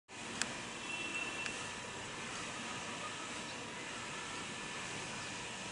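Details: Steady broadband hiss with a single sharp click near the start, no animal calls heard.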